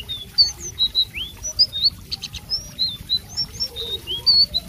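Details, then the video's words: Energetic blue whistling thrush song: a continuous run of thin, sweet whistled notes, many slurred upward or downward, with a brief rasping burst midway. "suara burung selendang biru super gacor"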